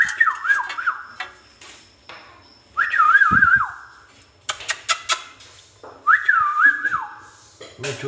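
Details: Pet ringneck parakeet whistling in three separate phrases, each a warbling, looping tune with quick up-and-down wavers, broken by sharp clicks and taps between phrases indoors.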